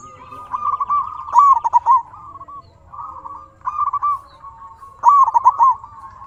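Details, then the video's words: A local zebra dove sings to trigger answers from other doves. Three loud rolling coo phrases of clipped, wavering notes are joined by softer, even trills in between. "Suara burung perkutut sangat istimewa 100% auto nyaut"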